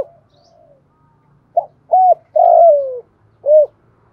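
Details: Spotted dove cooing in thổ hạp voice as a lure to train newly caught birds. One phrase: a short note, an arched coo, a long coo falling in pitch, then a final rounded coo; faint low hum beneath.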